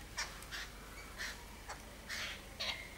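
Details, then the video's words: Birds chirping once hours of rain have stopped: short, scattered squeaky chirps spaced roughly half a second apart, some faint, over a steady low background hum. "Birds chirping after rain"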